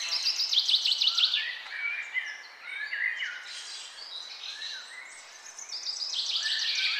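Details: Birds singing in the morning, a fast trilled phrase of rapid repeated notes opening a dense chorus of overlapping whistles and warbles from several birds.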